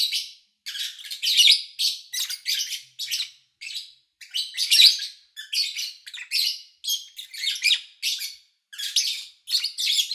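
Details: Pet lovebirds recorded in August 2019 while their owner was away, with little engine or human noise: harsh, high chirps in short bursts, about eighteen a minute, separated by brief pauses.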